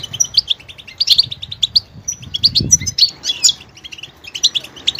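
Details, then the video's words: Goldfinch song of sparkling chirps and short whistled notes, with a brief rough rasping phrase in the middle and a low thump in the background. "motivational ringtones that will take you on a journey with goldfinch"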